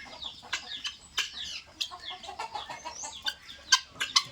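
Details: A flock of helmeted guineafowl (Numida meleagris) at feeding time in Assam give harsh, scratchy chattering calls, with loud sharp notes breaking through.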